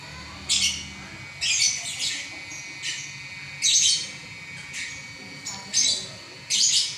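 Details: Nonstop ngacor singing from a champion lovebird, part of an eleven-minute run: irregular rasping bursts, some doubled, roughly once a second, with short squeaky notes in between and a quiet hum.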